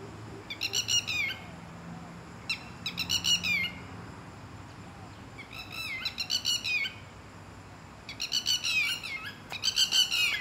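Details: Red-wattled lapwings, a pair staying in a garden, noisy and attacking anyone approaching too close; repeated bursts of loud, shrill, falling notes delivered in rapid series of four to six, with short gaps between bursts and faint low hum.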